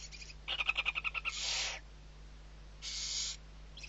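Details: Stuttering rapid clicking chatter that runs into a long harsh hiss, then a second hiss, from six barn owl owlets being fed in the Ebro Delta, Spain, November 2023.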